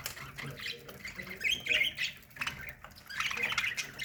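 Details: A budgerigar colony in an aviary chatters together in quick, scratchy chirps and squawks that overlap without pause.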